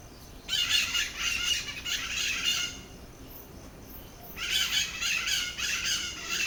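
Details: Raucous screeching from a pair of white-eyed parakeets at Lagoa da Conceição on Santa Catarina Island, Atlantic Forest, Brazil: two long bouts of harsh, overlapping grating calls separated by a quieter pause of under two seconds.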